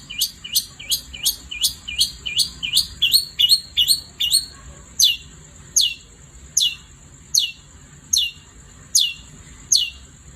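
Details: At night a long-tailed shrike starts with a fast series of sharp downslurred chips, then slows to single notes about every 0.8 seconds, with a steady faint high whine.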